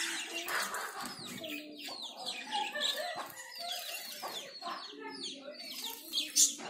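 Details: A pair of zebra finches bathing chatter with quick nasal beeps and short downslurred chirps, overlapping steadily.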